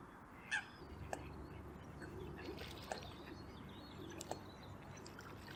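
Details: A few Eurasian coots at a local pond in Perth, Scotland, on 25 January 2023 give short, sharp clicking notes, four spaced unevenly over a few seconds, above a steady low rumble of wind and water.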